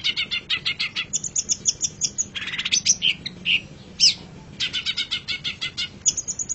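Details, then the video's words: A long-tailed shrike gives a fast, varied song of high, scratchy chirps and rattling trills in quick bursts, broken by a few sharp whistled notes. "Masteran Suara Pentet Cendet"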